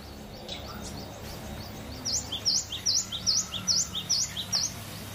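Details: Cinereous tit song, delivered relaxed and loud: after faint background chirps, a run of about eight bright, high whistled notes with dipping-then-rising shape, evenly repeated over two seconds, low background hum throughout.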